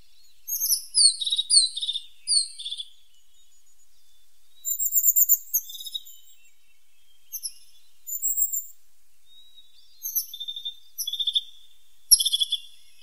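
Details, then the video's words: Tit song in nature: repeated bursts of very high, thin, downslurred notes, in phrases separated by pauses of a second or more, with one sharp click near the end and no other sounds. "The sound of a pointed tit 's voice"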